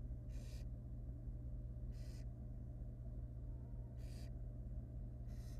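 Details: Barn owl nest in the wild, where the female eats the stillborn nestling from her one unhatched egg of four. Four strong, airy screeching hisses come about two seconds apart over a continuous low hum.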